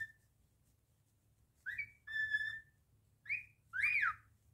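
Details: Pet cockatiel in a room whistling: a faint note, then a rising slur, a long steady tone with overtones, and two swooping whistles at the end.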